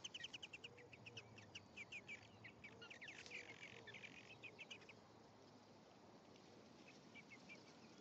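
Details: European greenfinch pair, male and female, at the nest on 1 May 2015: a fast run of high chirps for about five seconds, then sparse soft notes, with a low hum and rustling beneath.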